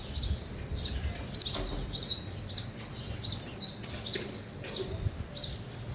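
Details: Sparrows eating at a feeder, giving short high chirps about every half second, loose and irregular, with faint low background noise.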